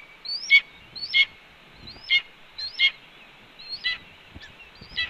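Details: Evening of 18 May 2013 at a Cornell nest: a female red-tailed hawk calls out her return before joining the young. A run of brief, shrill upslurred notes ending in a sharp drop, repeated about every half second, with faint low thumps.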